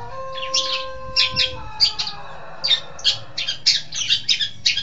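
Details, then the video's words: Training lure of a long-tailed shrike: harsh chattering bursts, at first alongside a steady humming tone, then a quicker run of rasping notes. "Masteran Suara Pentet Cendet"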